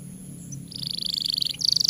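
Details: Canary master song for stimulating young or silent canaries to sing: after a quiet start, a long high rolling trill of fast pulses, a brief break, then another piercing trill over a faint low hum.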